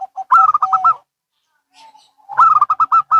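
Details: Local and Bangkok zebra doves calling back and forth: a rapid, rolling burst of bubbling coos, a pause with a faint low coo, then another quick rippling series of five or six notes.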